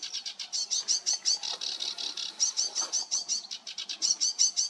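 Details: A sedge warbler on 28 June 2022 sings a fast, scratchy run of high chattering notes, about three per second, with buzzy churrs and sweeter trills mixed in.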